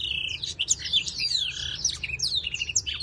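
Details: Singing black-throated canary in breeding condition, opening with a steady whistled note, then quick high chirps, falling slurs and short trills.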